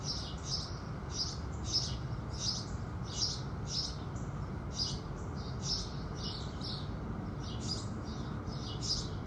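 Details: Quieter morning chirping of house sparrows at sunrise, roughly fourteen thin, high cheeps at a regular pace, partly set back behind a fairly strong low background rumble.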